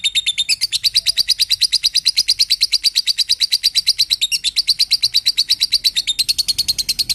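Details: Lovebird song for training other birds: loud, steady stream of sharp high chirps repeated about three times a second, briefly pausing twice, with little background noise.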